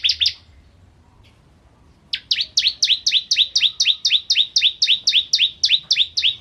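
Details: Energetic song of a bar-winged prinia, serving as a tutor recording for shamas. After a brief pause, a steady run of crisp, high, two-part chirps repeats about four times per second.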